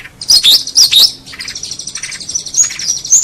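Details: Long-tailed shrike song for tutoring songbirds: sharp, high, rising whistled notes at the start, followed by softer running chatter of quick high phrases.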